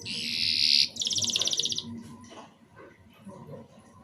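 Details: Canary giving a short burst of song, played to prompt young canaries to start singing: a loud buzzy high phrase followed by a fast pulsed trill, then quiet with faint background noise.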